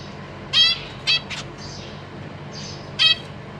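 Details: Caged zebra finch family with juveniles and newly fledged babies, April 2023: three loud, short nasal honking calls with stacked tones, separated by soft fluttering sounds.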